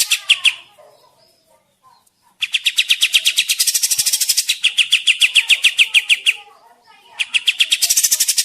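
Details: Kapas tembak bird in lively song, used as a forest trapping lure: a few chirps, a quiet pause, then a sustained run of rapid sharp notes with buzzy, rasping passages, another gap and a final chattering phrase.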